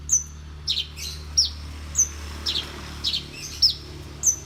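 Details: Horsfield's bush lark, champion-standard singer, giving thin, very high whistled notes spaced roughly every half second, mixed with softer, hoarser chirps against a steady low hum.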